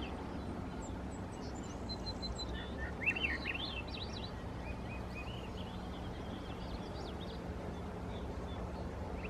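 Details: A Swainson's thrush (Catharus ustulatus) in the treetops of the Squamish River estuary, Canada, gives a faint, fluty song of upward-spiraling phrases over steady low rumbling noise, with thin chirps from other birds.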